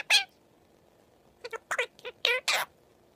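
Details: Pet Indian ringneck parakeet talking and singing: a single short harsh burst, then a quiet gap, then a run of five or six clipped speech-like syllables, each brief and buzzy with rich overtones.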